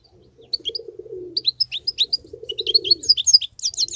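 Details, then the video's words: Wild European goldfinch singing continuously: rapid tinkling, twittering notes, short bright chirps and trills packed closely together, with a lower rolling cooing sound from another bird underneath. "صوت الحسون البرى:مقنين خلوى ممتاز..بتبتات.. غناء لاينقطع"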